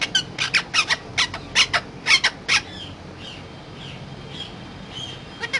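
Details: Parrot described as talking: rapid uneven string of sharp clicking chatter notes for about two and a half seconds, followed by faint soft murmured sounds and near silence.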